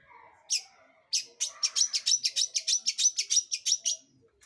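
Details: Long-tailed shrike calling to provoke other birds to sing: one harsh note, then a fast, even chatter of about fifteen rasping notes over three seconds, with faint lower murmurs at the start.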